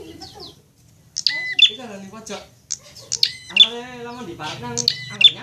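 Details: Prinia training song meant to bring a bird into full song, tied to fighting prinias: bright ringing chirps repeated in short bursts, mixed with lower harmonic rasping sounds and a steady low hum.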